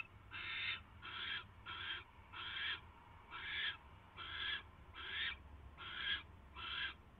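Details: Barn owl at its nest on 22 January 2016 at 10:22 PM, as an owl brings a mouse: nine harsh, hissing screech bursts in close succession, each about half a second long, over a steady low electrical hum.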